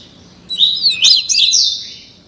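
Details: One brief, loud warbled phrase from a 30-day-old caged double-collared seedeater learning the tuí tuí Alcântara song style, with overlapping sliding whistled notes.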